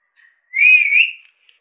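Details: A talking pet Indian Alexandrine parakeet whistles once: a soft lead-in chirp, then a clear sustained whistle with a slight wobble, ending with a tiny tick.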